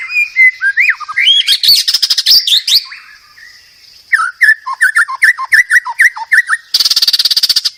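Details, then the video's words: White-rumped shama in energetic song: rich, varied whistled phrases sliding up and down, broken by harsh buzzy rattles, then a short pause and a run of quick falling whistles ending in a dense, rapid chatter. "Kicau Burung Murai Batu"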